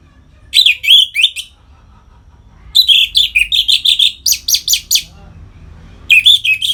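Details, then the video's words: Captive Orange-headed thrush performing ngeplong song to stimulate other birds: bright phrases of quick, repeated rising and falling notes, one burst near 1 s and a longer run of rhythmic pulses from about 3 to 5 s. "Suara Ngeplong ANIS MERAH Gacor Memancing Burung Agar Birahi dan Lanjut ke Tahap Teler"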